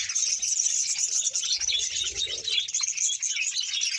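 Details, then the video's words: Budgerigars in a colony of roughly a hundred pairs, Bahawalpur; many birds chattering together in a thick high-pitched warble, with a faint low rustle partway through. "bahawalpur budges sound"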